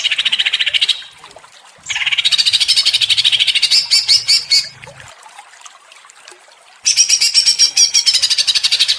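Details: Greater green leafbird singing agitatedly in ngentrok style, delivering three bouts of rapid, rattling repeated notes separated by short quiet pauses, the last bout sharper and higher.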